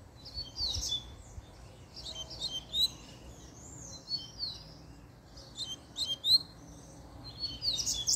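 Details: A double-collared seedeater, worked up by a female's arrival, gives scattered, slightly quieter phrases of high chirps and thin slurred whistles, separated by gaps of a second or more.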